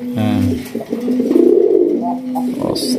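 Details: A domestic pigeon at a pigeon farm in Kashimpur, Gazipur, Dhaka, Bangladesh gives a deep, droning, rolling coo held for most of three seconds, with a man's voice mixed in at the start.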